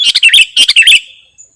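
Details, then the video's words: Sooty-headed bulbul song from a lure and song-tutoring recording: one short bubbly phrase of quick chirping notes in two close bursts, lasting about a second, followed by silence. "Suwara Mp3 Sangat Cocok Buwat Pikat/ Masteran Burung Kutilang"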